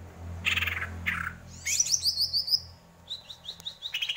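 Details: Greater green leafbird singing: two slurred descending whistles, then a quick run of high rising chips and scattered notes, over a steady low hum.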